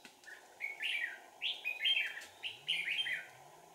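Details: Red-whiskered bulbul decoy used for trapping wild birds, Sàng cầu trapping session on 4 April 2019: bright whistled phrases, each rising then falling, several in quick succession, over a steady low hum.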